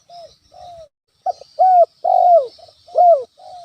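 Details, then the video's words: Spotted dove cooing hard as a natural lure to anger a rival: two quiet introductory coos, then a phrase of a clipped note and three loud, downslurred coos, with faint high hiss. "SUARA PIKAT ALAM‼️ TEKUKUR GACOR COCOK UNTUK MEMANCING EMOSI LAWAN"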